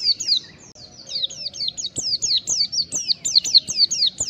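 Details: Mountain white-eye singing fast, chattering ngalas song, used as a lure. A continuous stream of high, downward-sweeping whistles, roughly four a second, with occasional faint clicks below.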